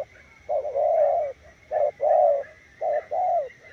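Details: Repeated low coos from a spotted dove, in short-then-long pairs. A faint steady high tone runs underneath throughout.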